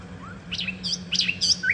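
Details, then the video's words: Common nightingale song fragment: a faint rising note, then a few sharp descending high chirps and short trilled notes in quick succession, over a steady low hum. "reclamo de ruiseñor común. RUISEÑOR COMUN CANTANDO"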